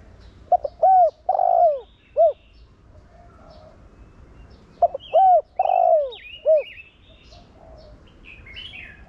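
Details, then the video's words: Decoy spotted dove, 'Thổ Đồng' voice style, cooing to stimulate other doves: two full phrases about four and a half seconds apart, each of clipped notes, arched coo, long buzzy falling coo and short end note, with high chirps of other birds. "Cu gáy Giọng Thổ Đồng Gáy Gọi kích bổi nhanh gáy/cu gáy mồi kích bổi mau nổi"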